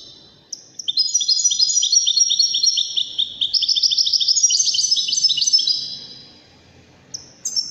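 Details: European goldfinch from Morocco singing Wedani-style: an unbroken flow of fast, bright twittering and trilled notes for about five seconds, then a short closing phrase.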